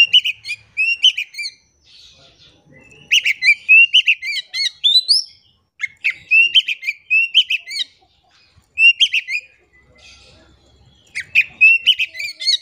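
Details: Oriental magpie-robin in vigorous song, played to make silent magpie-robins sing: rapid bursts of sharp chirps, rising whistles and buzzy notes, phrases of a second or two with brief pauses between.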